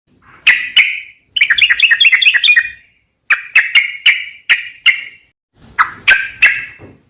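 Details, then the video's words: Sooty-headed bulbul, described as a chatty singer, giving short separate sharp notes in clusters, with a quick rippling trill near the start and brief gaps of silence between bursts. "suara burung trucuk gacor"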